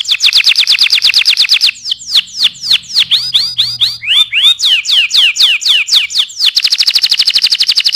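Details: Loud canary tutoring song: a fast buzzy trill, a series of swooping curved whistles at an uneven pace with faint low hum, then another rapid high trill.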